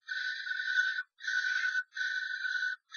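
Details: Three common starlings fighting inside a nest box after a strange starling enters the box of a pair; three long, harsh, buzzy screeches of almost a second each, separated by short gaps, with no other sounds.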